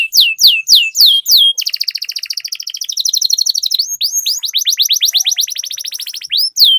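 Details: Canary master song for luring other canaries into singing: loud downslurred whistles open into an extended rapid buzzy roll, then another long fast trill of clipped notes with a final bright whistle.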